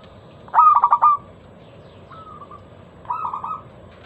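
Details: Local zebra dove recording used as a lure to set other doves singing: a loud, clear, ringing burst of rapid stuttered notes, then a softer drawn-out note and another rolling phrase, on a quiet background.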